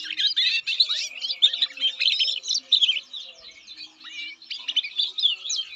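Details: Canary from Indonesia singing a rapid, busy song of chirps, short trills and quick rising and falling slurred notes in bursts, with brief pauses between phrases and faint low background tones.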